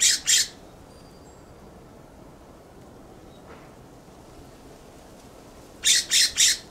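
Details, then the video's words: California scrub jay perched on a plum tree in a backyard gives harsh, rasping scolding calls: two quick notes, then a long quiet gap, then three more in rapid succession. "California Scrub Jay’s loud Call"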